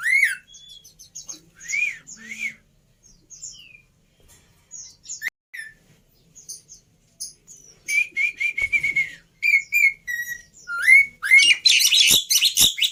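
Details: Extended Javan pied starling song, starting with spaced rising-falling whistles and thin chirps, then building into a fast, dense stream of squeaky, buzzy and whistled notes, loudest and harshest near the end.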